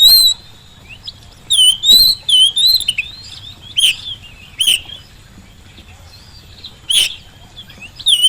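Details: Oriental magpie-robin singing a lure meant to get quiet birds answering, whether at home or in the field: bright, bending whistles and sharp chips in short bursts, with gaps of a second or more between.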